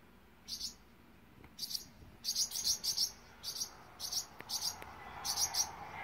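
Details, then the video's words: Swallow mother defending her five chicks, one day old: rapid series of high, sharp, paired chirps, about a dozen notes in quick succession growing more insistent, with a low hum beneath. "Swallow mom fiercely protecting one-day old babies 燕妈妈誓死保护刚出生一天的五只燕崽子"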